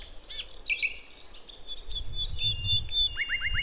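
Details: Nightingale, a wild Javanese forest bird, a female calling the male, used to lure young birds: high whistled notes and short slurs, ending in a quick descending series of five clipped notes, over low rumbling background noise.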